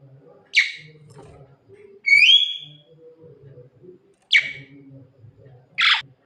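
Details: Javan myna singing at night, calling its mate: a sharp harsh note, a loud rising whistled phrase, then two more harsh broad notes spaced over a few seconds, above a faint low hum.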